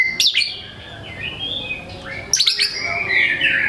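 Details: White-rumped shama singing vigorously as a lure for reluctant singers: sharp high chip bursts followed by sliding whistled phrases, repeated twice, with buzzy trills near the end.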